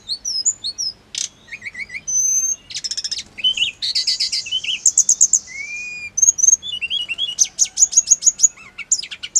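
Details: Hill blue flycatcher song, used to prompt caged birds to respond: a long, rapid medley of high twitters, buzzy trills, rising and falling whistles and sharp chirps, with little pause.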